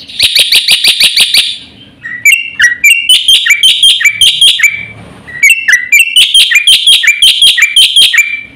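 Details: Black-winged starling in lively full-fill song, delivered fast: a rapid train of sharp, evenly spaced chips, then loud repeated whistled phrases that dip and rise, with brief quiet gaps between bursts.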